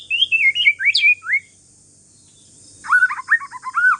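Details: Calm song of an Aceh forest-strain white-rumped shama used to provoke answers from other shamas: high bouncing slurred whistles, a silent gap, then a fast buzzy trill of lower notes.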